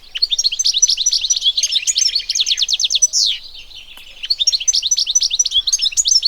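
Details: Goldfinch song from nature, known locally as Arous al-Turkman: tinkling, jumbled twitters build into a fast rattling trill and a buzzy drawn note, then after a brief gap the bright chattering resumes.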